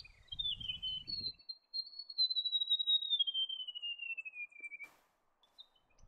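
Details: Song of a White-throated gerygone: a long, high, clear trill that begins with a few sharp notes and cascades smoothly downward for about four seconds, ending abruptly, with some low rumble at the start.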